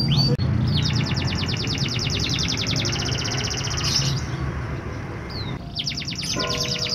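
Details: Canary song used to prompt reluctant canaries into singing: long, fast, high trills of evenly repeated notes, a brief pause, then a second trill with a few whistled notes, over a constant low rumbling background.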